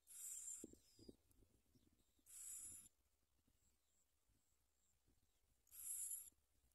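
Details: Nest of bar-winged prinia chicks begging as their mother brings food: three loud, high, hissy rasping bursts spaced a few seconds apart, with faint soft clicks and rustles in the pauses.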